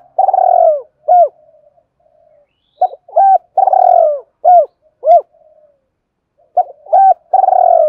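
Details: Coos of a spotted dove meant to excite newly caught doves: long purring coos alternating with short, abrupt, arched notes, grouped into phrases separated by silent pauses, loud and close with nothing else audible.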